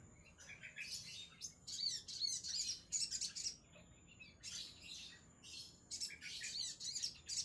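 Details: Crimson sunbird singing in rapid bursts of high, thin, tinkling chirps and trills, broken by brief pauses, with a faint steady high whine in the background.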